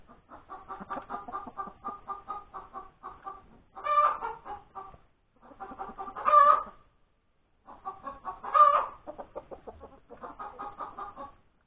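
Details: Laying hen at breakfast on Sunday, 31 January 2021, cackling steadily: long runs of quick, even clucks broken by three loud, raspy cries spaced about two seconds apart.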